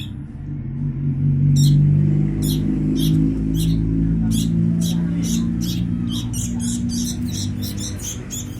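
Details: Begging from sooty-headed bulbul chicks during feeding: silent at first, then from about one and a half seconds a run of sharp, high, scratchy bursts that quicken and crowd together, over a low rumbling hum.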